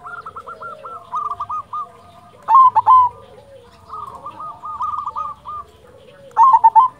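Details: Local silver zebra dove (perkutut) in full song to stir quiet birds into calling: runs of quick rolling coos broken by louder emphatic phrases roughly every two seconds.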